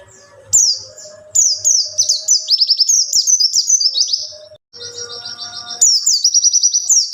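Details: Song of a wild white-eye, played to attract and train young white-eyes: bursts of sharp, high, sliding chirps in quick runs, a brief gap, then a thin buzzy trill and more twittering.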